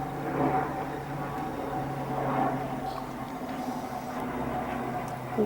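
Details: Steady rumbling vehicle or train noise with a low hum and faint murmurs, and no animal calls heard.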